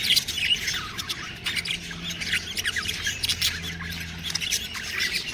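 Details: Harsh, grating squawks and quick squeaky chirps from budgerigar babies come in bursts, layered over a faint low hum.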